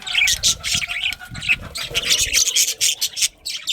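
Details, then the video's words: Budgerigars in a breeding colony with a breeding pair: dense, overlapping high chattering chirps and squawks from many birds, nearly continuous with brief pauses. "Cute Budgies Chirping Sounds"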